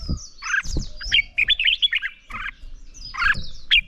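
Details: Red-whiskered bulbul competitive morning song for voice training: choppy phrases of clear whistles and buzzy notes mixed with high thin twitters and scattered low knocks.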